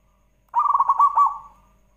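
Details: Zebra dove song used as a lure to prompt other doves to sing: a rapid run of mellow pulsed cooing notes, about a dozen beats packed into one second, trailing off into a soft fading coo.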